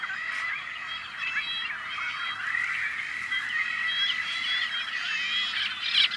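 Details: Nesting Tricolored Blackbirds, a rare species, in a farm colony in California's Central Valley, May 2012. Countless birds give harsh, buzzy, chattering calls that merge into a constant droning chorus, ending with a louder squawk.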